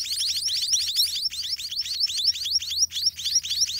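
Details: White-rumped munia chicks being fed by a parent in the nest make a hurried, overlapping series of piercing high chirps, each dropping in pitch, almost four per second from several young.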